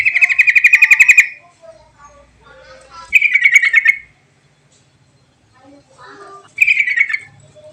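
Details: Lure song of a sooty-headed bulbul meant to prompt reluctant bulbuls into singing: loud, fast rattling bursts of buzzy pulsed notes lasting about one second each, three phrases in under eight seconds, with quiet twittering in the gaps.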